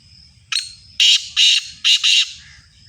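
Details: Sindhi black francolin calling loudly: a brief clipped opener followed by two pairs of coarse, buzzy notes, grating and forceful, with faint low background hum between.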